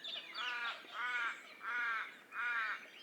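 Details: Four steady, somewhat muffled raven caws at an even pace, each hoarse and drawn out, over a quiet noisy background.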